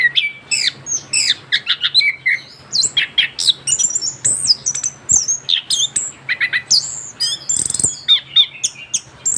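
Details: Kept young orange-headed thrush, freshly moulted, pouring out a continuous fast song of scratchy squawks, high whistles and mimicked chirps with barely any pause.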